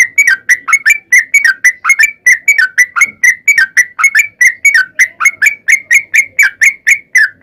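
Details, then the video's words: Sooty-headed bulbul singing a long, persistent song used to bait other bulbuls into singing back: continuous evenly spaced chirps with bright overtones, each a quick rising-falling twist, over a quiet background. "KICAU SUARA trucukan gacor TARUNG ROPEL PANJANG ampuh MENJADIKAN burung trucuk gacor NYAUT SEKETIKA"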